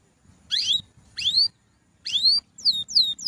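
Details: Canary song of clear, sweeping whistles: three upward-curving slurred notes spaced about three-quarters of a second apart, then a quick run of falling whistles at the end.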